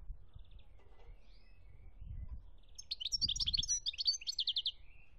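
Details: European goldfinch singing, Algeria 2017: soft scattered notes and low rumbling noise at first, then a lively burst of tinkling twitters and rolling trills ending in a slurred whistle.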